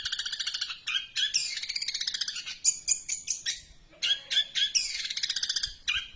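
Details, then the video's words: Extended long-tailed shrike song: rapid rattling trills alternating with sharp whistled notes and scratchy phrases, a brief pause, then more buzzy trilled bursts. "cendet nembak Greja super panjang"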